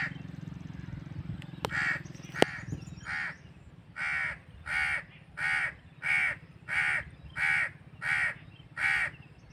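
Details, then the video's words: Harsh crow caws, a few softer at first after two sharp clicks, then a loud steady series of eight rasping caws at about two-thirds-second intervals; faint low hum beneath. "crow bird crowing sound | crow ki awaz naturally | कौवा पक्षी कौवा ध्वनि | کوے پرندے کی کی آواز"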